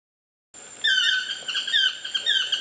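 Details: Chestnut-mandibled toucans singing in trees near a bungalow at Lapa Rios Ecolodge, Osa Peninsula, Costa Rica: after a brief quiet start, a run of yelping, harmonic, slightly downslurred notes, with a steady high whine in the background.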